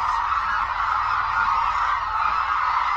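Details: Hooded cranes gathered at Suncheon Bay Wetland, South Korea, a migratory bird habitat; a dense, steady chorus of overlapping honking calls from many birds forms an unbroken mid-pitched wash with no pauses.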